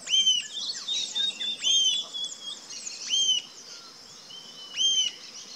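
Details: Rufous-tailed jacamar repeating bright, sharp, high call notes, four in about five seconds, each a quick rising-then-falling arch, with softer twittering from other birds and a steady high insect hum behind.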